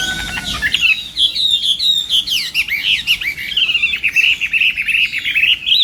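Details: Chinese hwamei in morning voice-training song, contest-singing style: a loud, rich stream of looping whistled phrases, swooping up and down, turning into rapid rolling trills toward the end, with a short bright whistle at the start.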